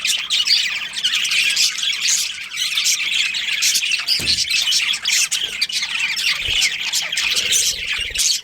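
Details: Chirping budgerigars, a breeding pair kept in a colony: steady high-pitched chatter of twittering notes and rasping squawks layered together, with two soft thumps midway.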